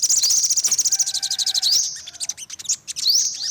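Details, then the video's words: Olive-backed sunbird producing a fast, even trill of high ticks about fifteen per second, followed by rising thin sweeps and scattered chips. "tiếng chim hút mật 5 màu bụng vàng"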